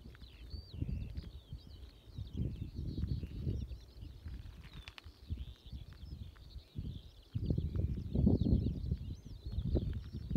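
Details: In June 2018, a Eurasian skylark pours out a continuous, high, rapid warbling stream of trills and chirps, faint behind heavy low wind rumble and thumping noise.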